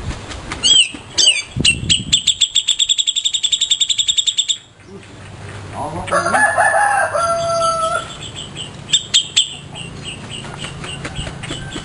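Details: ['Grey-cheeked bulbul kept as a master bird for teaching songs: a quick buildup into a long, even run of bright, ticking notes. A pause follows, then a man talks and a short burst of the same ticking returns.']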